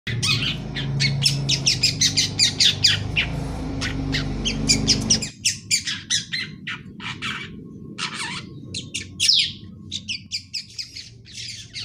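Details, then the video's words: Young long-tailed shrike making ngeriwik chatter while learning to sing: dense bursts of harsh, buzzy chirps, about one a second, over a low rumbling hum that stops halfway through. "Suara anak burung pentet ngeriwik belajar ngoceh"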